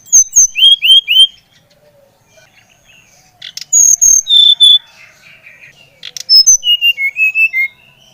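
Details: Brown-chested jungle flycatcher singing to stimulate another bird: upslurred whistles repeated three times, then long high notes dropping lower, and a final tumbling descending phrase of clear whistles.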